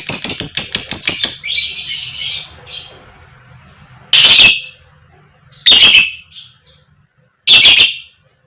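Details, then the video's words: Female fighter lovebird used to lure others into singing: a quick burst of clipped chattering notes, then three separate loud, rasping shrieks with pauses between. "Pancingan Lovebird Betina Biar Cepat Gacor, Lb Koek Koek, Lovebird Chirping Sound"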